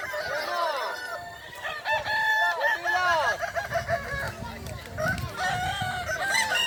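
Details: At a Kukuak Balenggek rooster crowing competition final in Sirukam, Solok Regency, a run of arched, wavering crow notes rises and falls in succession mid-clip, with other birds crowing behind and crowd noise throughout.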